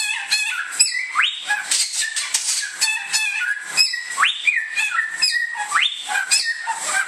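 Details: Samyong, or bare-throated whistler, native to Indonesia: ringing whistles that rise sharply and then hold a flat tone, given in repeated phrases about every one to two seconds, with busy high twittering and background hiss.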